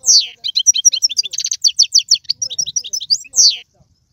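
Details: Algerian European goldfinch kept as a cage singer, performing tiwawati and sarfati style song: a steady run of bright chirped and twittered notes, bracketed by two sweeping downslurred whistles, quiet background.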